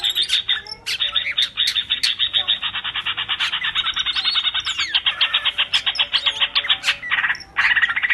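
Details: Male greater green leafbird singing nonstop, used to train other birds: dense rapid chattering notes in long runs, broken by short gaps, with sharp high clicks scattered above.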